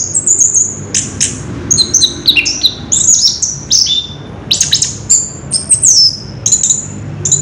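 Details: Ngerol rolling song of an orange-headed thrush, recorded 3 March 2016: very high, thin whistles and sharp slurred notes strung into short bursts with brief gaps, some phrases sweeping downward, over a soft low hum.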